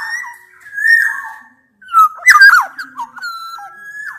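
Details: Challenging black-naped oriole sounds, a blend of Javan and Sumbawa males and females meant to provoke a lazy bird into calling: a long fluty whistle, a pause, then sharp harsh notes and a level whistled tail.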